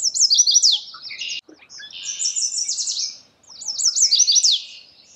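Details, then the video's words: Chestnut-sided warbler song with dense runs of high, slurred notes that end in downslurs. The phrases run close together and partly overlap, with a brief soft lower sound in a gap. "Bird Natural Sound.Chestnut sided warbler"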